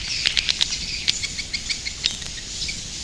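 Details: Edible-nest swiftlets at roost, calling more softly: scattered high chirps and short clicky bursts spaced irregularly over a faint, steady hiss.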